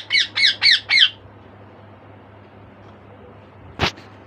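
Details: A caged pet bird, awake around two in the afternoon while the other birds sleep, gives four harsh, high squawks in quick succession, then one sharp burst after a pause.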